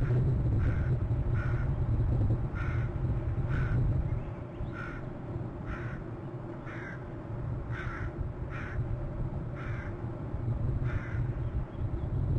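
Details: Adult male bald eagle calling as a merlin flies past: a series of about eleven short, high piping notes, spaced roughly half a second to a second apart, over a constant low rumble of wind or distant engine.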